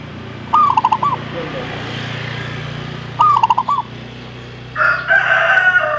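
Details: Zebra dove song: two quick phrases of about five staccato, rolling coo notes, each lasting about half a second and spaced about three seconds apart. A steady low hum runs underneath, and a different bird chatters near the end.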